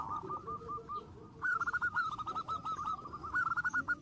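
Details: Zebra dove song meant to provoke rival birds: a soft stuttering run of short notes, then a louder long series of rapid, rolling trilled coos on one pitch, with faint background rumble.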